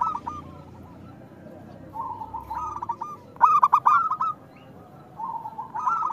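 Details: A loud-singing local zebra dove from Indonesia, played to coax reluctant doves into song: low, rolling cooed phrases with a stuttering rhythm recur every few seconds, the loudest burst in the middle, over light background noise.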